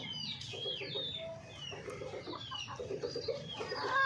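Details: Hen gives rapid rows of short, mid-pitched clucks in four or five bursts, while small birds keep up sharp, falling twitters in the background.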